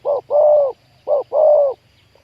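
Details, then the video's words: Spotted dove used in trapping wild doves, 'khu-ang' style big voice: two low cooing phrases, a brief note followed by a drawn-out mellow coo, then quiet with a low hum. "ต่อนกเขาใหญ่ วันนี้จับนกป่าคูอ่างเสียงใหญ่"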